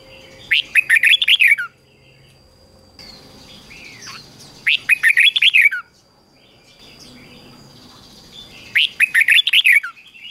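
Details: Morning song of a red-whiskered bulbul being trained to sing: three bursts of fast, bright warbling notes separated by pauses of about two seconds, with soft fainter chirps and a constant high faint tone between phrases.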